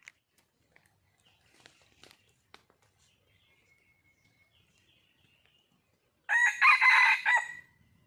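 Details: Red junglefowl in the wild, reported as a female calling for a male: after several seconds of faint scattered chirps and ticks, a loud harsh crow of three or four syllables ends the recording.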